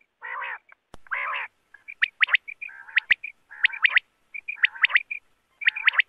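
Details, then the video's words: Quail, bater, calls used for hunting: broad buzzy harmonic notes followed by clusters of sharp high chirps and short whistled notes, given in irregular bursts about once a second, with a few sharp clicks and no background noise. "Bater ki awaz Quail voice || Quail sound for hunting"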